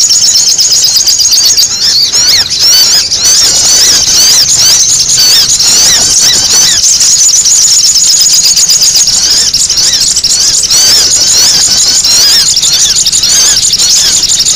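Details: Loud, unbroken sogon chatter used as a lure, made of shrill squeaks and rapid twittering trills overlapping densely throughout with no silences.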